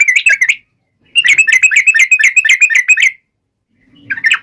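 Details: Yellow-vented bulbul song aimed at rivals: a short bubbly phrase, a silence, then a two-second run of quick warbling whistles, and a final brief burst.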